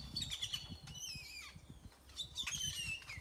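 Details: Many birds singing in a tropical tree, Nayarit, Mexico: bursts of chirps and descending whistled notes, over a rumbling low background.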